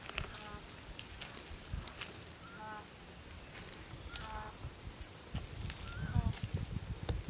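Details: Green peafowl, some 70 birds gathering between 3 and 5 pm at a site in Chun district, Phayao, Thailand; three harmonic, honking calls spaced a second or two apart, with rustling and low rumbling noise nearby.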